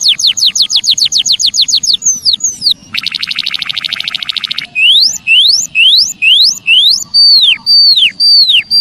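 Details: White-headed munia calls used as a lure for trapping wild birds: loud, clean upward- and downward-sweeping chirps repeated rapidly, broken mid-way by a dense buzzy burst, then slower, separated chirps.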